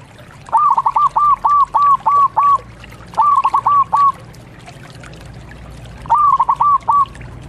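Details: Eager local zebra dove sings loud phrases: a run of about eight quick, clipped cooing notes, then two shorter bursts of four, separated by quiet pauses.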